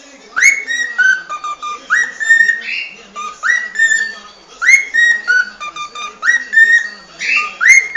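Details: Whistled song of a cockatiel, a melodic phrase of upslurred and steady notes repeated over and over at a fairly even pace, with faint clicks in the background.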